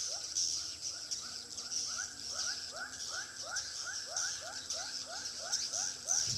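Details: Swiftlet sound from a three-storey bird house in Pekanbaru: a steady train of rising chirps with a shrill background twitter and a small knock at the end.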